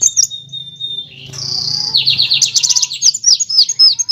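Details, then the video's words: Van Hasselt's sunbird master recording to train other birds: a drawn thin whistle, then a dense, fast chattering roll of high notes running into clipped, downward-flicking chirps. "MASTERAN KOLIBRI WULUNG, NYRECEKT NEMBAK, NGEROL BURUNG LANGSUNG GACOR"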